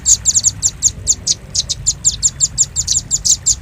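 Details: Velvet-fronted nuthatch lure recording for drawing birds in. Steady high, sharp chip notes follow one another about four to five per second throughout, with faint low background noise.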